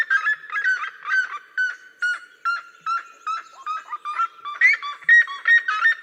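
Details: Red-legged seriema of the cerrado calling and singing in duet: a fast run of harmonic yelping notes, over two per second, overlapping and uneven in rhythm, some notes rising, others dipping.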